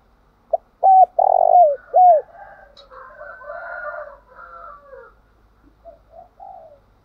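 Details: Spotted dove used to provoke singing delivers a loud phrase: a clipped note, a short flat coo, a long trembling coo and a curved descending note. Fainter jumbled cooing from other doves follows.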